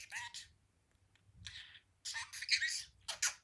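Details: Pet budgerigar perched at a window, talking: short raspy, high-pitched speech-like bursts separated by brief pauses, with a quiet indoor background.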